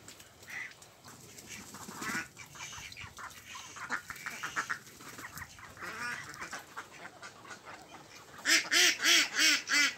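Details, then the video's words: Ducks at a pond, a mix of Mandarin Ducks, Mallards and Pekin Ducks, give scattered nasal quacks. A burst of five loud, evenly spaced harsh quacks closes the stretch over a steady background hiss. "Ducks Quacking"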